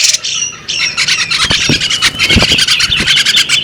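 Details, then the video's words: Female bearded magpie robin giving a dense run of bright chirps and twittering notes around a steady high band, with scratchy broadband bursts and a few low thumps underneath. "the alluring sound of a female bearded magpie robin"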